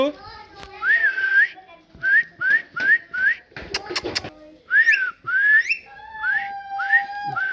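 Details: A parrot repeats short whistled notes that rise then fall, in groups with brief pauses, one held flat tone near the end, and a brief clatter of clicks midway.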